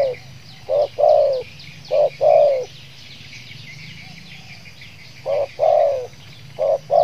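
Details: Zebra dove in a singing contest in Riau: low, soft cooing phrases of short notes followed by a longer rolling coo, repeated in groups, over a steady background hum and faint high chatter.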